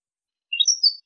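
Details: European goldfinch, a male, giving a brief burst of three or four high, thin chirps that step upward, ending on a drawn-out note; quiet otherwise.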